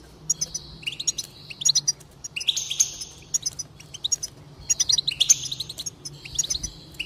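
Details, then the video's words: Goldfinch song to encourage singing: bursts of fast tinkling twitters and buzzy trills separated by short gaps, a faint low hum throughout. "increase the enthusiasm of the goldfinch and encourage it to song"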